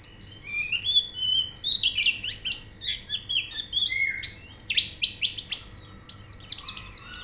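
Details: White-eye song used as therapy audio to spur birds into singing: dense, fast run of bright, high chirps and slurred whistles, some sweeping sharply down, delivered nonstop with a faint background hum.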